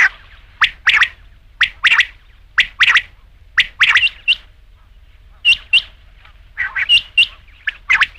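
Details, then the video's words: Doubled, clipped notes from a rain quail, repeated roughly once a second in a steady series. A brief gap falls midway before the pairs resume, sometimes with a third note added. "batair ki awaz raat ke liye | rain quail sound"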